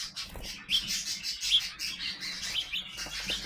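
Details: Sparrows still growing up call with a few short, slightly rising chirps over a steady hiss and faint rustling.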